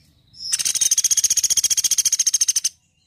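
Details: Woodpecker, loud and vocal, in a training recording for songbirds: one sharp, high, machine-gun trill of about twenty quick even notes lasting two seconds, beginning abruptly and stopping cleanly against a quiet background.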